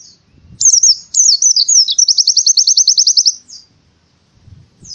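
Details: Indonesian white-eye delivering canary-style burst song, used to trigger singing in quiet birds: looping high warbles leading into a rapid, steady, pulsed trill lasting over a second, with soft low rustles before and after.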